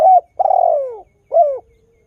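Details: Spotted dove singing in a recording meant to prompt wild doves to answer: a short coo, a long vibrating coo that slides downward, then a clipped curved closing note, mellow and low-pitched.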